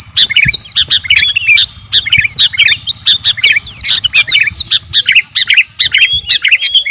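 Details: A garuda-type sooty-headed bulbul kept caged, singing vigorously and presented as ready for competition. An unbroken, busy stream of quick chirps and slurred whistles plays over a constant low hum.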